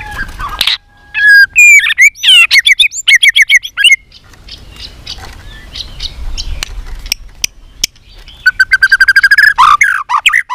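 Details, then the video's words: White-rumped shama (chòe lửa) trained for singing contests, pouring out a varied song of many voices: loud slurred whistles and rapid rhythmic note runs, a quieter chirping interlude, then a fast trill and rising phrase. "chòe lửa hót đấu .luyện chòe lửa căng lửa hót nhiều giọng"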